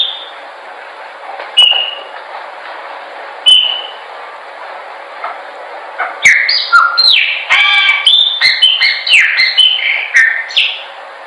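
A Chopi blackbird gives a few spaced whistled notes, then a rich, fast run of loud, liquid whistles and chirps rising and falling over several seconds.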